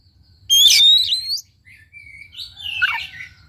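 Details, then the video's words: Oriental magpie-robin song meant to coax a reluctant bird to sing: a loud harsh buzzy burst with a rising whistle, a pause, then softer gliding whistles and a rough descending rattle. "PACINGAN &MASTERAN KACER MALES BUNYI"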